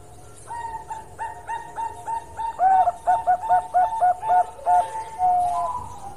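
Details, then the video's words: Zebra dove of the Bangkok type singing: soft cooing notes build into a rapid series of bubbly, looping coos, about a dozen in quick succession, ending in a longer drawn-out note. "Perkutut Bangkok Gacor Suara Istimewa"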